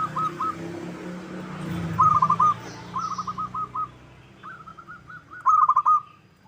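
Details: Local zebra dove song used as a lure to set others singing: several separate phrases of rapid, rhythmic cooing notes, the last loudest, over low rumbling background noise.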